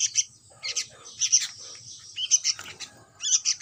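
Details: Sooty-headed bulbul chick giving high, harsh chirping begging notes in short bursts about once a second, separated by brief pauses.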